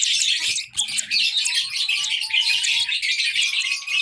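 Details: High-pitched baby lovebird chirps pour out in a busy, scratchy chatter, briefly dipping just after the start, with a faint, slowly rising whistle-like tone in the background.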